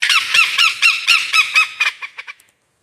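A lyrebird gives about ten harsh, honking notes that quicken and fade over two and a half seconds, with nothing else heard.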